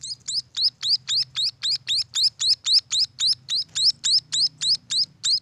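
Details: Munia chicks from a bird farm, giving steady high rising chirps, each with a sharp upward sweep, repeated almost four times a second without a break; faint low hum beneath.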